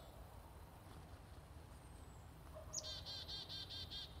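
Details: At a feeder where chickadees are hand fed, one bird gives a thin high note and then about seven evenly spaced buzzy 'dee' notes against soft background hiss.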